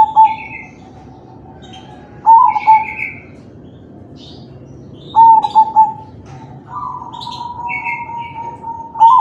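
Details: Zebra dove, a crossbred bird of kalung tempuk style, cooing to coax other doves into song: soft, rolling coo phrases about every three seconds, with scattered high chirping from other birds in between.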